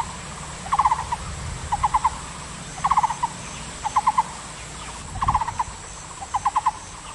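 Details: Taiwan barbet delivering a steady series of short phrases, each three or four low hollow notes in fast succession, repeated about once a second, with a soft low thump midway and constant background hiss.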